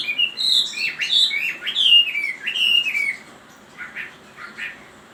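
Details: Chinese hwamei singing loud, descending whistled slurs in a connected phrase, fading after three seconds into a few softer notes.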